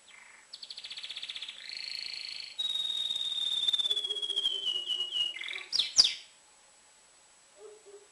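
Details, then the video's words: Excited tame male canary singing to prepare females for breeding: a loud run of rapid buzzy rolls near the start, then a long sliding whistled trill that falls gradually, ending in sharp chips and a brief squeak. "تغريد كناري هائج نار لتجهيز الانات"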